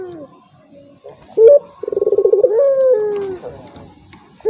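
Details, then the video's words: Turtle dove call used to draw a reluctant rival into calling: faint low notes, then one clear phrase of a sharp bright note, a fast rolling trill and a long, gradually falling coo. "PANCINGAN BURUNG PUTER || COCOK UNTUK LAWAN YANG MALAS BUNYI"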